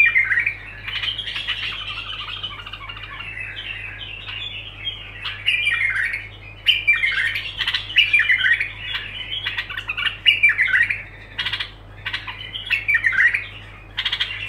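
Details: A bulbul sings on and on without interruption: long runs of raspy, chattering phrases with squeaks and whistled accents, occasional short gaps, and a steady low hum in the background.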